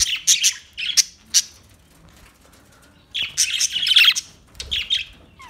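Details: Australian budgie chirping loudly and clearly: a run of sharp, high chirps, a pause, then a denser burst of twittering notes in a quiet, small room.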